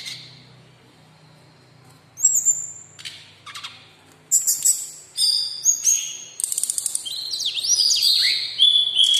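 Sumatran laughingthrush singing loud, varied bursts of clear whistles and slurred high notes, some rising and some falling, after a quiet start with a low hum.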